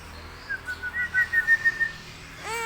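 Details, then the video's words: A hill myna whistling in imitation of human whistling: a soft, clear, level whistled phrase of short connected notes wavering slightly up and down over faint background hum. "Burung Beo Pandai Bersiul"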